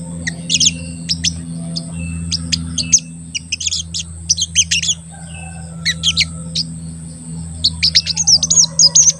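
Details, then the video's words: Crested jay in full voice, used as a lure to make other crested jays call and grow excited, uttering short sharp high chirps in loose bursts over a steady electrical hum. "Pancingan Sogon Agar Bunyi dan Emosi"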